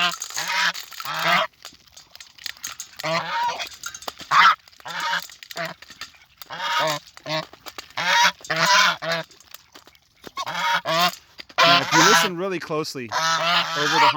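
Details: A group of farm geese honking loudly at the farmer near a muddy, manure-smelling pond on a September morning; a long run of raucous, nasal honks in repeated bursts, many birds overlapping, brief quiet gaps.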